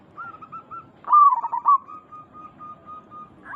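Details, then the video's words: Zebra dove of local type singing to make others answer: a few soft coos, then a loud rolling, warbling burst and a long, fading, almost continuous cooing trail. "Perkutut lokal gacor Suara ini membuat Burung Perkutut langsung Nyaut cepat respon"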